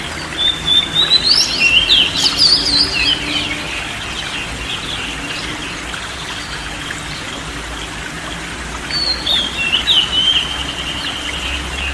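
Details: Relaxation song of the kacer, or oriental magpie-robin, for stressed or quiet birds: about three seconds of rich, rapid whistled warbling, a long pause under a steady hiss, then a second, shorter whistled phrase.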